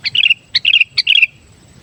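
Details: Sooty-headed bulbul, a pet bird singing actively for luring wild birds: three rapid phrases in quick succession, each a sharp chip followed by a tumbling run of bright, slurred whistles.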